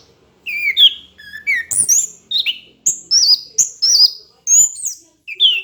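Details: Lively song of an orange-headed thrush for training other songbirds: a steady series of clear whistled phrases, each a quick upslur or zigzag note, delivered about twice a second at varying pitches.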